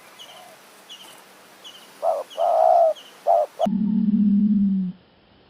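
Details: Spotted dove used in decoy luring in high forest at Kanchanaburi, Thailand: a short coo, a long rolling coo, then another short coo, all mid-pitched. Faint high chirps from another bird repeat behind. The recording cuts to a low, steady hum.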